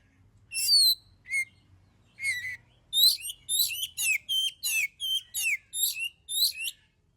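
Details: Lively song of an oriental magpie-robin, played to get other birds singing: a few separate high whistled notes, then a steady string of about a dozen rapid, scratchy, buzzy phrases, each sharply repeated.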